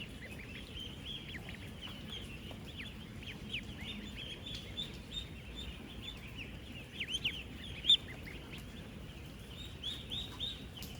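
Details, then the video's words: Ducklings aged ten days, 16,000 living together on a duck farm. A constant mass of high chirps and peeps fills the whole stretch, with several louder, sharper single calls near the middle over a soft low hum. "16,000 Ducklings Making AMAZING Sounds! 🐥 | 10-Day-Old Ducklings"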